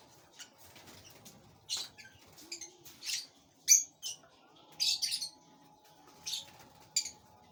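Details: Parblue opaline pale fallow lovebird chick being fed inside a flight cage. It gives scratchy, high-pitched chirps in separate bursts roughly every half second to second. A faint constant hum runs underneath.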